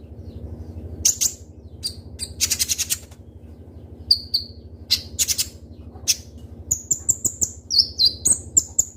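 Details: Caged Konin, the Indonesian Kolibri Ninja sunbird, singing 'gacor' with sharp shots: a quiet start, then scattered high chirps and buzzy bursts building into a rapid series of thin, slurred whistles near the end, over a constant low hum.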